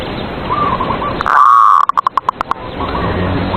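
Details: Caged zebra dove singing as a morning lure for rival doves: one drawn-out tonal note, then a quickening run of short clipped coos, set against steady hissing background noise.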